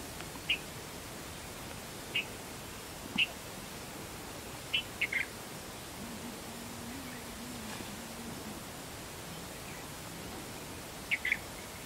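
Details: Red-vented bulbul, known in Bengali as bulbuli, giving short, sharp chirped notes at irregular intervals, some single and some in quick pairs, about six calls in all, over steady background hiss with a faint low hum in the middle.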